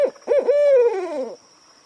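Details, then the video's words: An owl at night gives a hoarse, wavering hoot: two quick rising notes, then a longer note that slides downward and fades after about a second, over a faint steady hiss. "The sound of an owl at night (صدای جغد در شب)"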